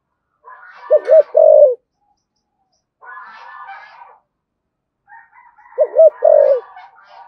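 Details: Spotted dove, thổ sấm style thúc gù and calling coos: two low phrases of a wavering double note and a sustained coo, partly overlaid by rougher, higher-pitched noisy sounds between and over the phrases.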